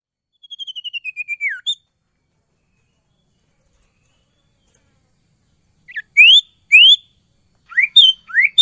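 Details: Sirtu singing in full song with many fill-in phrases: a rapid run of about ten high whistled notes falling in pitch, a pause, then sharp rising upslurred notes in quick pairs.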